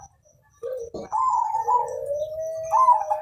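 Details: Zebra dove, Mojopahit colour, singing to encourage other birds: a short low coo, a click, then a long tremulous warble sliding into a smooth, slowly rising held note.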